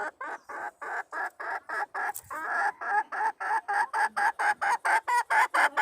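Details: Red junglefowl hen, a wild bird, calling to draw in a male, 26 March 2020: loud rhythmic clucking, about two notes per second, each note a harsh broad burst, keeping an even pace throughout.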